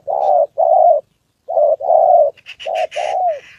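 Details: Spotted dove decoy bird in Vietnam giving low, hoarse coos in short groups, while higher chirping notes from another bird break in over the last second.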